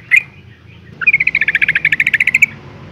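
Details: Female yellow-vented bulbul in breeding condition calling to males: a single chirp, a short pause, then a fast even chatter of some fifteen bright pulses over about a second and a half.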